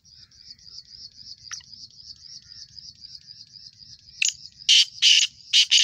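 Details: First-season young male black francolin giving its call near the end: a sharp opening note followed by grating, buzzy bursts in pairs, the last cut short. A long stretch of shrill insect drone comes before and beneath it.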